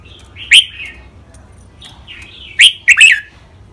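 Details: Red-whiskered bulbul singing a training song in the rik, double, lakwai, mae bot and counted-note styles: soft warbled phrases, then loud, sharp, rising-falling whistled notes in a quick burst near the end.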